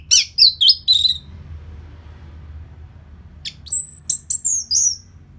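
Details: Orange-headed thrush song used after moulting to excite kept birds and make them more aggressive. A quick run of falling high notes comes first, then a quiet gap, then several sharp, thin whistled notes.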